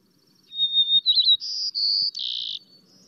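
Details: White-crowned Sparrow, a species that sings often in Missouri in winter, gives a high song that opens on a clear whistle, breaks into quick warbled notes, then ends in several buzzy trills.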